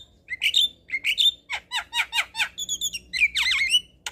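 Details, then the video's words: Black-winged starling singing in the evening to train young birds to sing: sharp whistled notes and rapid harsh chatters in a quick sequence, closing with a looping, wavering squeal. "Masteran Jalak Kebo Sore Hari Bikin Burung Jalak Muda Cepat Gacor"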